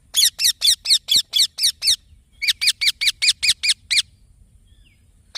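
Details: Green baby parrot chirping: bursts of rapid, harsh, high chirps, about eight per second-and-a-half run, in two series with a brief pause, then one more chirp at the end.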